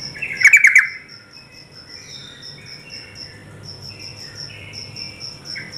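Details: Quick burst of five or six sharp chattering notes from a female yellow-vented bulbul trying to provoke males, then a high, thin pulsing tone and faint softer whistles.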